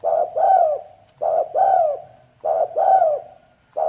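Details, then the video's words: Spotted dove (tekukur) cooing, used as a trapping lure: a repeated phrase of a short coo followed by a longer, rounded coo, recurring roughly every 1.2 seconds, over a faint steady high whine. "pikat tekukur"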